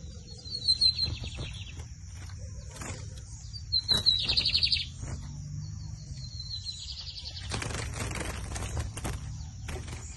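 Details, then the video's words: Lined seedeater (bigodinho) singing at a song competition, 2023 season: three high phrases, each a thin whistled run ending in a buzzy trill, with clicks, knocks and steady low noise between phrases. "Assistam o bigodinho Camelão x Torneiro Temporada 2023"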